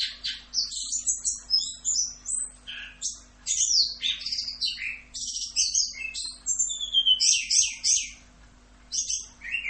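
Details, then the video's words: Orange-headed thrush singing a full 'Rock'n Roll' masteran for training cagebirds: rapid, varied high whistles, chirps and buzzy slurred notes in quick succession, briefly pausing near the end before resuming, with a faint steady hum throughout. "MASTERAN ANIS KEMBANG FULL Rock'n Roll"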